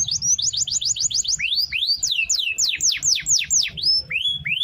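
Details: Long-rolling canary song meant for training other birds, made of rapid series of swept whistled notes, falling then rising, repeated several times a second with brief gaps.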